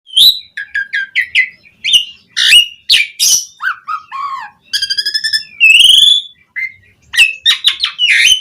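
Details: Asian pied starling (jalak suren), a lively full-repertoire bird used as a lure to get other starlings singing, delivering a varied run of whistled notes, harsh buzzy bursts and rising slurred phrases in quick succession.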